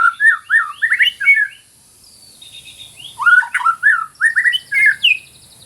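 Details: White-rumped shama in full song: two dense bursts of rich, looping whistles and chatters, loud and fast, separated by a short gap with a faint buzzy trill, in a caged-bird recording.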